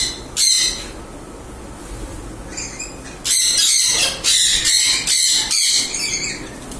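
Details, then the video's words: Mealy amazon parrot: one harsh squawk, a pause, then a burst of about five loud, grating, rasping squawks delivered in quick succession. "Mealy Amazon Parrot."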